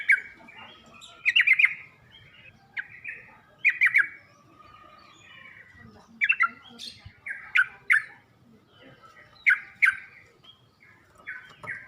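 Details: Yellow-vented bulbul (trucuk) song used to train birds to sing: spaced bubbly phrases of liquid chattering notes every two seconds or so, between quieter gaps.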